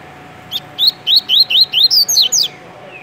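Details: Kept coleiro, double-collared seedeater from Rio de Janeiro, Brazil, in tui-tui style song: a rapid run of about ten clear upslurred whistles, the final notes pitched higher and sharper, over a soft background hum.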